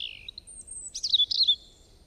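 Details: A bird that makes many kinds of sounds: a low, fluttering buzzy note, then a long high thin whistle, then a loud jumbled twitter of sharp chirps. The background is quiet.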